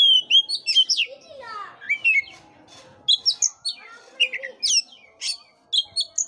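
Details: Song of an Oriental magpie-robin, played to spur a listless bird into song: rapid high whistles and clipped chirps, a descending rasping sweep, then evenly spaced sharp notes in quick succession.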